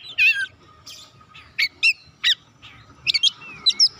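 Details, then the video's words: Oriental magpie-robin calling to stimulate other birds to sing: short sharp chirps and quick whistled flourishes, spaced about half a second apart, with a faint steady tone behind. "KICAUAN MEMANGGIL DAN PERANGSANG BUNYI | Kacer macet bunyi langsung on gacor"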